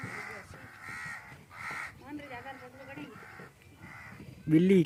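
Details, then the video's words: Crows in the Thar Desert, Sindh, Pakistan, call while a cat hunts insects in a chungra. Harsh, nasal caws come in short bursts about once a second, with a man talking between them and a louder voice near the end. "Cat catching while carrows making noise"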